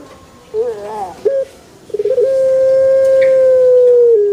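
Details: A pelung chicken crowing in a banana garden opens with wavering notes and a stuttered burst, then holds a long, steady, harmonic tone that slowly drifts lower for about two seconds.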